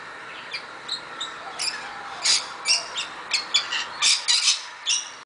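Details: At Coffs Harbour, NSW, Australia, several Rainbow lorikeets give harsh, high screeches in quick irregular bursts, calling over one another.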